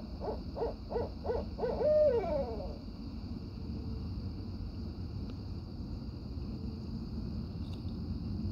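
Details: A barred owl, one of a family of five that visited nightly, gives a quick run of four or five rhythmic hoots ending in a drawn-out, sliding note at night, then falls silent over a steady high insect hum.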